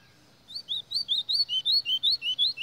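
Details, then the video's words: White-throated seedeater delivering a rapid string of around eleven bright whistled notes, rising and dipping in alternation at a steady pace, clean against a quiet background. "Golinha Cantando Muitoooo!!!"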